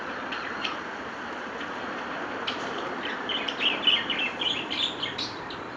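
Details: A healthy pair of budgerigars singing, warbling softly with quick chirps and chattering notes over a steady hiss.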